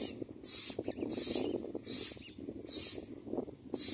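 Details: Common myna at the nest, adults bringing food for the chicks: loud, rasping, hiss-like bursts come about every three-quarters of a second, with a steady low rumble underneath.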